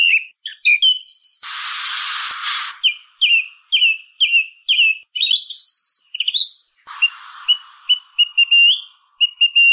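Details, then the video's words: Song thrush song with its typical repetition: short whistles, a long harsh rasping noise, then a clear phrase given five times in a row. Metallic chattering and a run of soft repeated whistles follow. "SONIDO de ZORZAL COMÚN CANTANDO"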